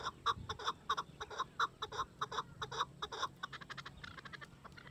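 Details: A hunting-decoy male chukar partridge (chakor), kept with its female, gives a rapid series of harsh, clucking chuck notes, about two or three a second, speeding into a chattering run at the end.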